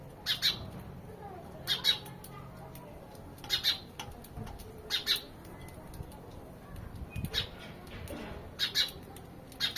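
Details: Sparrows giving repeated sharp chirps roughly every one to two seconds, sometimes paired, steady pattern throughout with faint background noise.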